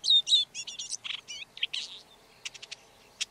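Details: Red-backed shrike song: a quick run of varied scratchy and whistled notes, some looping and twisted, then a pause and a few short dry clicks near the end.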